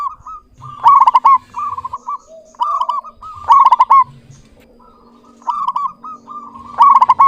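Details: Zebra dove of a local strain in lively, clear song, repeating trilled cooing phrases, each with a loud rapid burst followed by softer rolling coos, roughly every one and a half seconds.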